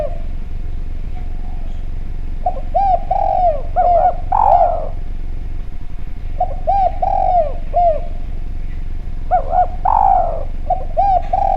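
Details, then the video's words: Lure call of a vocal, clear-voiced Javanese spotted dove: three phrases of quick arched coos, each closing on a stronger, drawn-out falling coo, separated by pauses of several seconds, over low steady hum. "Derkuku Djawa Gacor Suara Bening, Spesial Suara Pancingan"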